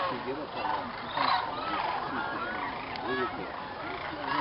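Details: Sandhill crane stopover flock at Jasper-Pulaski State Fish and Game Preserve, Indiana, gathering in a field at dusk before roosting; overlapping rattling calls with individual upslurred notes standing out, and faint murmur of people.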